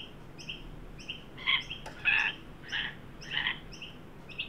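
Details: Sydney backyard in a 43 °C heat wave, 9 December 2023: an adult and a juvenile Australian magpie at a fresh birdbath. Loud, grating calls sound in uneven bursts about every second, alongside a regular thin double chirp in the background.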